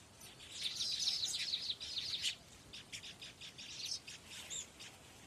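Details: Baya weaver birds at a nest colony of males and females: a fast, dense, buzzy chatter of high notes runs for about two seconds, then breaks into spaced single chirps and short sharp notes.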